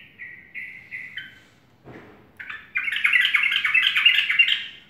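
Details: Yellow-vented bulbul morning song: a few clear, evenly spaced whistled notes and a brief pause, then a dense stream of fast, jumbled, bubbling phrases that runs to the end.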